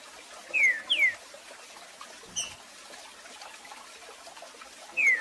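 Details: Green-winged saltator (trinca-ferro) giving a short tournament-style song of clear, smooth whistled notes that slide downward, spaced apart; a recording meant to teach young birds.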